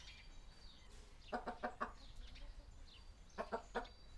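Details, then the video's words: Hens in a small chicken coop in a village, recorded on a Sony PCM D100 with Sennheiser ME66: two bursts of quick, throaty clucks, four then three, separated by a pause, with faint high bird chirps behind. "small chicken coop sound effect"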